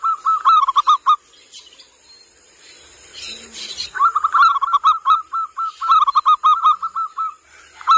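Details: A local Zebra dove (perkutut) lure/master recording dated 15 January 2020 gives quick runs of short, bubbly cooing notes in rapid series, broken by a pause with rustling noise and a faint steady high whine.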